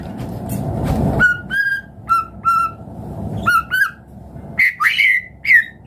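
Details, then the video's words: White-rumped shama song used to stimulate other birds: short, pure whistled notes repeated at intervals after a soft rumble, ending in louder, slurred rising whistles. "Pancingan Murai Batu Langsung Respon Auto Bunyi - Masteran Suara Burung Murai Agar Gacor Full Isian"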